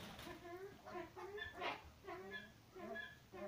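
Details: A displaying male Himalayan monal at a pheasant breeding farm, tail fanned, gives short, nasal, slightly wavering calls about every half second to second, with a faint background hiss.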